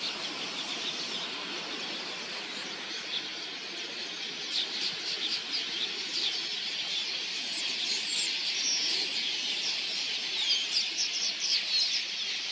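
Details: Vast flock of migratory red-billed queleas coming in to drink at a watering hole; a roaring high chorus of chirps swells midway, with rapid fluttering pulses suggesting wingbeats throughout.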